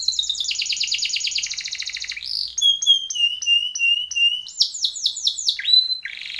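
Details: Timbrado canary singing a training song: a quick repeated trill, then a steady run of whistled slurred notes, followed by rapid rolling chirps and a downward slide.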